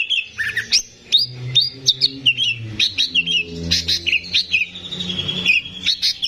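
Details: Caged greater green leafbird, the keeper's own active singer, recorded as a tutor for untrained young birds: a fast, varied chatter of high whistled slurs and chirps, rising and falling notes with short buzzy bursts, singing almost continuously.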